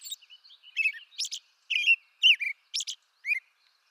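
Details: An American robin, eastern North America, sings a few warbled, slurred whistles, some dropping in pitch, alternating with high, sharp squeaky notes. Short gaps separate the phrases. Quiet background.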